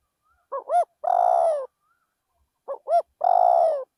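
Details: Decoy spotted dove singing in a rice field. The phrase is given twice: two short rising notes, then a long, drawn-out purring coo that drops slightly at the end. A gap of about two seconds separates the phrases.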